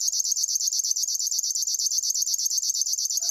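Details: Short stretch of River warbler song, a fast metallic zizzing repeated about eight times a second at a high pitch, clean and steady, with a faint low note at the end.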